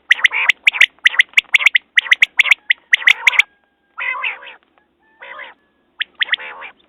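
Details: A quail's rapid series of sharp, clipped notes in small groups, followed by several longer, nasal mewing phrases, with clicks scattered through the first half.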